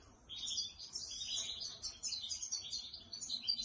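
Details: Canary trained at home, singing while sitting on a person's hand; continuous high, rapid twittering warble with varied chirps and trills throughout.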